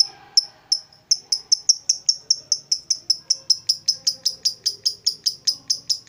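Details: ['Lovebird making its long ngekek chatter, a rapid series of sharp high chirps repeating about three times per second, speeding up and staying steady.']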